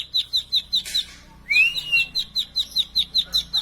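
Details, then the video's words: Plain prinia song made of high, clipped chip notes repeated about five times a second. A rising, drawn-out whistle breaks in midway, then the chipping resumes. "plain prinia bird chirping"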